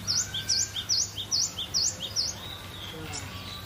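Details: Relaxed, freely singing cinereous tit giving a steady series of six bright, high, slurred notes, each dipping then rising sharply, at a quick even pace, then falling silent as a faint low hum and distant murmur continue.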